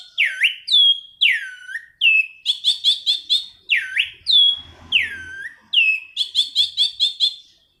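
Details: Anis cendana singing a rolling song (gacor ngerol) kept for luring and tutoring birds: loud swooping whistles that dip and rise again, alternating with quick buzzy trilled bursts, repeated almost without pause.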